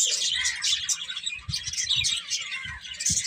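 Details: Birds twitter in a thick, high chorus of quick chirps, while several soft low thuds punctuate the chatter.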